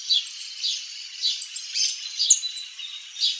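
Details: Saffron finch song of soft, high chirps and short slurred notes spaced roughly every half second over a steady hiss.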